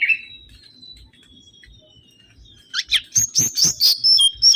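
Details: Mangrove whistler song used as a lure: a long, thin, level whistle fading away, followed after a pause by a burst of sharp, high, rapidly repeated notes and whistles.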